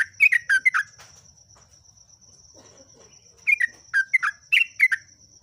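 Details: Yellow-vented bulbul, known as trucuk, sings two bursts of lively, gurgling whistled notes separated by a silent gap, with a faint continuous high-pitched hum in the background.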